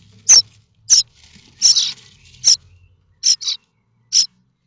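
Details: Starling chicks in their nest at Théding, France, 7 May 2024, begging in hope of a parent's arrival with food. Harsh high rasps, some paired or run together, with quiet shuffling noises underneath.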